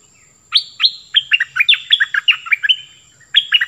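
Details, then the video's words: Caged decoy cream-vented bulbul giving a lively run of bright, down-slurred chirps in rapid succession, about a dozen notes over two seconds, then a brief gap before a short closing burst. "เสียงนกดอกแตงเจ้าเพชรEp.15 ของขึ้น!!นกป่าหายหมด Burung merbah lekir gacorbahanan"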